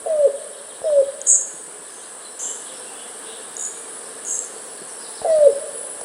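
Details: A Yellow-billed Cuckoo in Texas, the "rain crow" whose call folklore says portends rain, gives low, hollow, downslurred notes that slow down, over a steady high insect drone; it calls more often on cloudy days.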